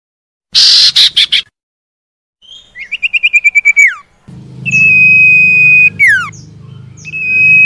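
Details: Lure recording of common iora for caged birds that will not sing: a burst of harsh buzzy notes, a rapid accelerating trill ending in a downslur, then long flat whistles with a falling slur over steady low hum.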